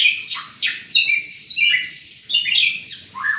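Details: White-rumped shama giving varied, strange-sounding song: bursts of high whistles and harsh chattering notes, some falling slurs, delivered in quick uneven phrases.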